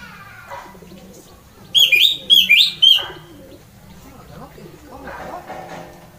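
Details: Orange-headed thrush giving its loud ngeplong song, said to set other birds singing: a brief burst of bright, looping whistled notes lasting just over a second, with faint low background murmuring before and after.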